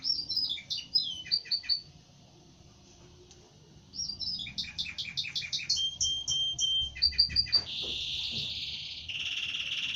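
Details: Canary singing in varied phrases: quick descending chirps, a pause, then rapid clipped notes, a pure held whistle, and a harsh buzzy rasping passage at the end.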